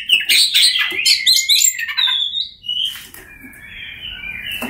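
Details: Oriental magpie-robin (kacer) song used to stir silent birds into singing: a dense jumble of rapid chirps, trills and whistled notes, then a quieter stretch of thin sustained whistles over faint background noise.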